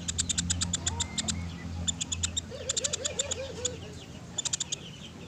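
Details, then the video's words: Sunda pygmy woodpecker calling in bursts of rapid, dry, clicking trills, each burst of several sharp ticks, repeated about three times; a softer wavy whistle from another bird and a low hum underneath. "MASTERAN PELATUK SUARA JERNIH"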